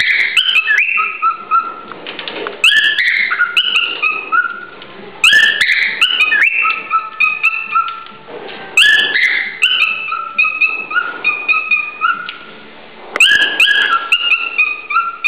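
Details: A male cockatiel courts a female at very close range, often right into her ear, to win her as a mate: phrases of clear whistled notes stepping down in pitch every four seconds, with sharp clicks and scratchy bursts.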